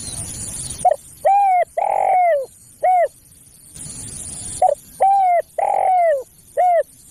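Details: Spotted dove call used as a lure for other doves: two phrases of hollow cooing notes, each a short coo, a double coo and a long drawn-out falling coo, separated by bursts of hissy noise.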